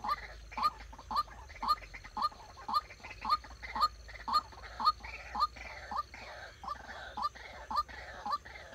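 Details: Trained decoy White-breasted waterhen for bird trapping giving a very regular run of loud, croaking, rising notes, roughly two per second, each followed by a brief trailing rasp.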